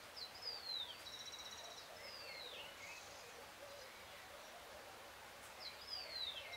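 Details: Great thrush singing on a full moon night, 13 June 2022 at 6:26 PM: thin high whistled phrases slurring downward, a long descending note near the start and again near the end, separated by quiet pauses against faint background noise.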